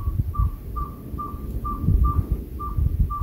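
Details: Unidentified owl-like caller, suspected to be an owl, outside a house, a strange noise heard for about a week; clear, even whistled toots on one pitch, about eight in three seconds, repeated every half second over low rumbling background noise.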